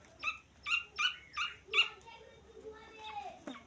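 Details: Grey francolin chick uttering five loud, clear high peeps about every third of a second, followed by softer faint chirps and a low thump at the end.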